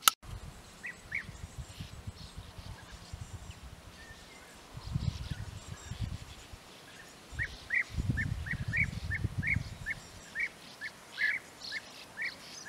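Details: European bee-eaters near their burrows in flat terrain at Puszta Eldorado give a long series of short, rolling mid-pitched calls repeated about twice a second, over low rumbling wind or handling noise.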